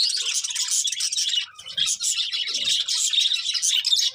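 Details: Dense, loud budgerigar chirping: an almost unbroken stream of rapid high twitters and buzzy warbled notes, dipping briefly near the middle.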